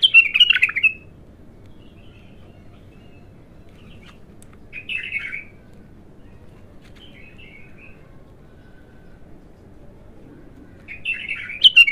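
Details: Singing bulbul, a raw first song, delivering short bursts of rich, chattering whistles separated by long silent gaps, the phrases recurring roughly every five seconds with faint low hum behind.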